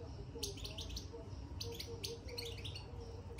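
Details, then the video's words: European goldfinch in a cage, twittering after being put inside: brief bursts of sharp high chirps in small clusters, separated by short pauses, with a faint low background hum. "بتبتة الحسون من دخل القفص"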